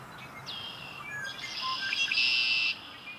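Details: Red-winged blackbird at Humboldt Park giving a clear down-slurred whistle, a few scattered notes, then a rising, intensifying buzzy trill ending sharply.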